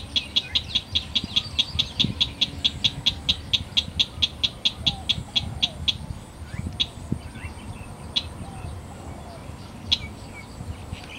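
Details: Slaty-breasted rail giving a rapid series of sharp, dry clicking notes, about twenty in the first six seconds at a steady quick pace, then a few spaced single ticks, over low rumbling background noise.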